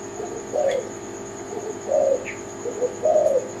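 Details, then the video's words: Spotted dove (tekukur) of the Kelantan type giving low, soft cooing phrases, three hollow coos spaced over about three seconds, each with a slight rise and fall, over a steady high electrical whine and faint chirps. "Jenis Burung Tekukur Kelantan"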